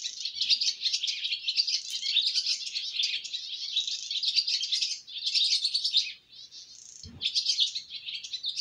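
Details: Young swallow fledglings leaving the nest on their first flight give dense, continuous high twittering and chirps, brief pauses near five and six seconds, a single low thump near seven seconds.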